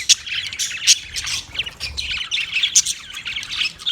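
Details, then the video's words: Short burst of budgie chatter: bright, piercing chirps and scratchy warbled notes overlapping densely with no pauses. "Funny Budgies Sounds"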